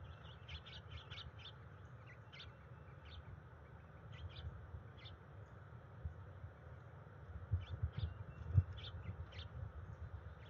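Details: Female bald eagle at her nest in late January 2021 gives her routine call/chant to initiate mating with her mate while the resident pair works on the nest. High, thin chirping notes come in quick irregular runs over a steady low rumble.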